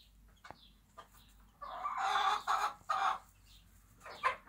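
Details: Bantam hen on a small backyard farm, teaching her two-week-old chicks: a few rough, breathy clucking bursts in the middle, with a sharp click early on and a final short cluck, over steady low background hum.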